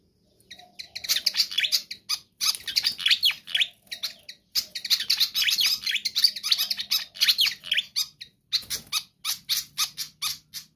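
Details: Energetic song of a pied fantail, kept for luring and training other birds: continuous high, squeaky twitters and chirps in quick packed phrases, separated by short pauses of about a second.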